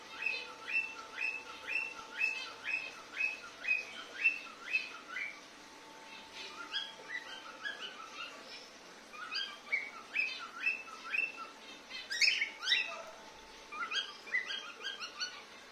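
A male cockatiel sings a run of bright, repeated chirping notes, about two each second, over a faint steady hum.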